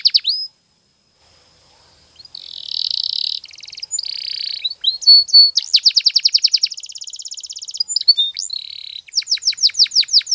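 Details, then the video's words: Canary training song with long buzzy and chattering rolls, pulsed trills, a brief whistle, and a final burst of rapid sharp notes after a short pause. "Your Canary Will Sing Immediately - Canary's Sound Training Every Morning"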